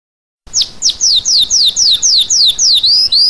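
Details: Red-crested finch singing a clear, high whistled series of about ten sharply descending slurred notes, evenly repeated roughly every quarter second, with a couple of flatter rising notes at the end; no other sounds.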